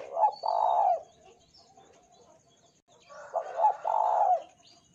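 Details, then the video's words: Spotted dove used as a lure so other doves start singing. It gives two cooing phrases about three seconds apart, each with a short stuttered double note and then a long, steady low coo. "PANCINGAN TEKUKUR BAHAN GACOR"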